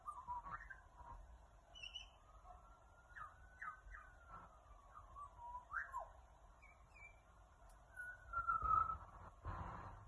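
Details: Australian magpie singing in Australia: a run of mellow, gliding whistled notes that rise and fall, some with sharp upward and downward sweeps, over soft background hiss, with a few louder noise bursts near the end.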